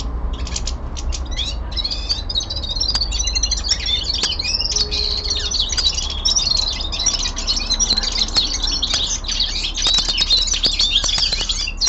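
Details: Common linnet, a young male indoors, sings an unbroken twelve-second winter song of fast twittering, trills and piping notes, punctuated by sharp clicks and taps from the cage.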